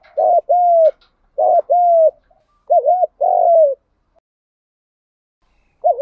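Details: Cock and hen spotted doves cooing, meant to stimulate other doves: several paired coos, a brief wavering note then a longer smooth one, then a pause and a new phrase starting.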